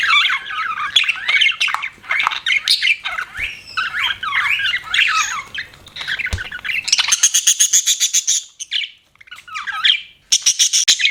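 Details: Budgies chirping as pets: a tangle of warbled squeaks and chatter that shifts midway into rapid, evenly pulsed buzzy rattles, broken by a short gap before the rattling returns.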